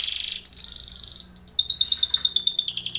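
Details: Timbrado canary singing a training song: a fast buzzy trill, then a long steady whistled note, then quick repeated notes that step down and pulse rapidly to the end.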